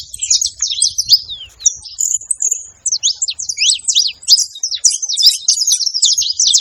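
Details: Group of saffron finches at a seva feeding site, noisy together: rapid high twittering made of quick downslurred and upslurred chips, bursts packed closely with brief gaps, clean background.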